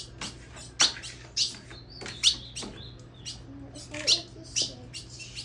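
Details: Female Colombian Ultramarine grosbeak, kept in a cage and returning from moult with a newly grown tail, gives bright high chirps with irregular gaps, plus a thin level whistle near the middle. A faint low hum runs underneath.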